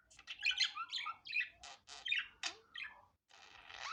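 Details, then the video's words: Budgerigar natural sound without editing: continuous scratchy warbling with squeaky rising and falling notes, clicks and a buzzy hiss near the end. "Muhabbet Kuşu Doğal Sesi"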